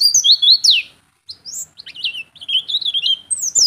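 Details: Singing Oriental white-eye, a song suited to teaching other birds or luring them: high sweeping whistles and a descending slur, a short pause, then a quick wavering twittering run.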